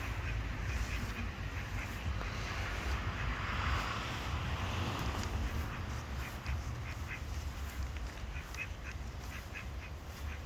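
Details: Pond ducks giving rapid, irregular runs of short harsh quacks, close to three per second at times, partly buried under a constant deep rumbling background.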